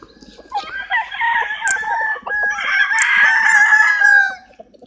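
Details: Rooster crowing, a loud extended harmonic crow in two long swelling phrases after a few soft clucks, with another bird's crow blending in.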